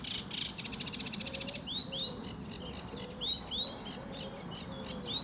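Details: Lively sedge warbler in full song on a sunny early July morning at Fowlmere, England, 2013: a rapid buzzy trill, then repeated high rising swept notes and clicks, with low soft wavering notes and rustling underneath.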